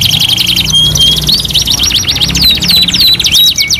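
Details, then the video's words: Canary singing on a 2-in-1 master song recording: rapid buzzy trills that break into clear sliding whistles, then back into quick repeated notes, bright and unbroken throughout, with a soft low hum in the background. "MASTERAN KENARI 2 IN 1 | CANARY SINGING"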